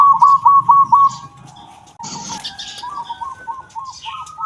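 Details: Local Indonesian zebra dove singing in the sought-after 'kung' voice style, suited as a tutor recording: a quick burst of five clipped, bouncing coos in the first second, then softer, spaced coos trailing off, with faint high chirps of other birds behind.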